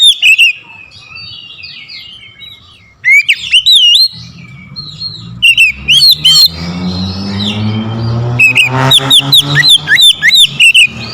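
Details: Oriental magpie-robin provoked to sing aggressively at a rival, loud whistled bursts with sweeping notes, accompanied later by a steady low humming tone and background noise.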